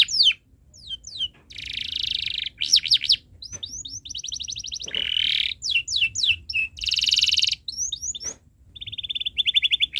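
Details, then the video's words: Canary song used as a tutor recording for young birds learning to sing, long chirping style: rapid falling whistled notes, dense buzzy rattles and steady trilled runs, broken by short pauses. "Suara Burung Kenari ● Masteran Kenari Paud Belajar Bunyi | Kenari Gacor Cuit Cuit Panjang"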